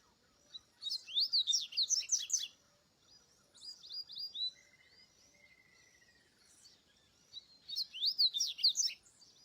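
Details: Double-collared seedeater singing in the wild: bursts of quick high chirps and twittering notes, a sustained thin whistle between phrases, then another rapid twittering burst near the end, over faint background noise.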